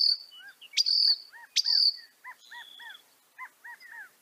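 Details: Northern mockingbird (Mimus polyglottos) with two loud, sharp buzzy notes over a string of soft arched chirps repeated in small groups, set against a faint high hiss.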